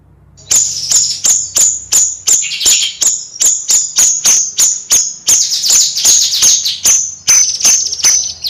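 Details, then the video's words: Bayeman singing in a lively nyrecet style: sharp, very high metallic notes, each snapping down from a bright peak, repeated almost three times a second in a steady chattering run, with a short buzzy twitter in the middle. "Suara Kicau Bayeman Nyrecet Gacor Kicau Bayeman Siri Siri"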